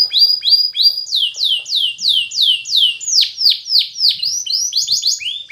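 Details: Spanish Timbrado canary training song: three level whistles, then a steady series of falling swoops about three per second, ending in quicker mixed chirps.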